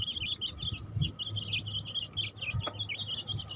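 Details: Flock of baby chicks peeping shrilly and continuously, bursts of short high chirps tumbling over one another, over a faint low background hum.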